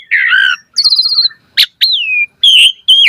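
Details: Lively Asian pied starling song played to draw other starlings into singing, with a harsh warbled phrase, a trilled descending note, a sharp click, a long falling whistle and two bright strident notes.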